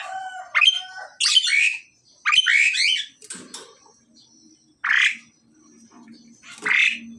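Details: A pied myna pair, male and female in the pairing process, trade varied calls: a quick whistled note, then buzzy chattering phrases with stacked tones, followed by two harsh rising squawks amid a soft low hum.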